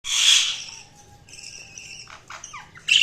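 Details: Budgerigar giving a loud, harsh opening squawk, followed by quieter buzzy warbles and short chirps, then another sharp burst at the end.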